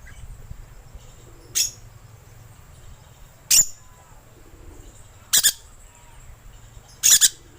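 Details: Lure call of a rainbow lorikeet: four loud, harsh screeches, each a brief rasping burst, spaced roughly two seconds apart against a quiet background with a faint steady high tone.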